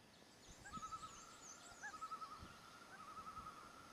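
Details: Common loon on its freshwater breeding territory, recorded during a territorial contest between resident and intruding females. It gives a sustained, mid-pitched call that breaks into quavering, wavering bursts three times, over a soft background hum.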